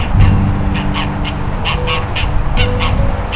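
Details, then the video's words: A farm duck, recorded 14 November 2024, gives loud, rasping quacks in a quick two-note rhythm about every half second, over a low hum like an engine or music; a viewer thought it sounded like "Dab-bles". "it sounds like Dabbles is yelling his name, “Dab-bles, Dab-bles”"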